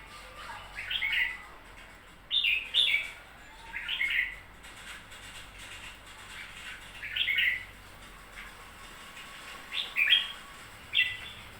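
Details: A red-whiskered bulbul, recently purchased, delivers about seven short chirpy whistled phrases, some in quick pairs, spaced every one to three seconds against faint steady background noise.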